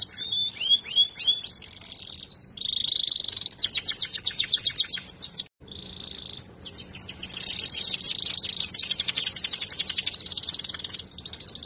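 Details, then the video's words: A canary from a breed prized for sweet singing runs through swooping notes, a held high whistle, then long buzzy rapid trills, breaking once before another whistle and a further extended chattering trill. "List of Song canaries singing : Bred for their sweet Canary singing ability"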